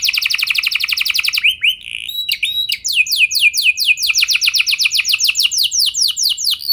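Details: Canary lure song to set other canaries singing: quick repeated falling notes, a short flat whistle, then a chain of rising-and-falling sweeps repeated about four times a second in a steady roll.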